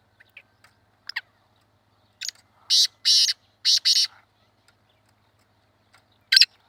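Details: Black francolin (kala teetar) heard in a hunting setting, giving a series of four harsh, rasping, broadband notes after a few faint soft chirps, then one more loud grating note after a pause.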